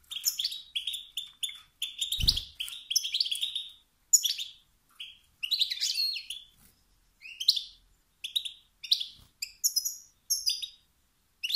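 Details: Male European goldfinch calls believed to ignite competition in other males: clusters of tinkling, buzzy chirps and short trills with pauses, one low thump early on.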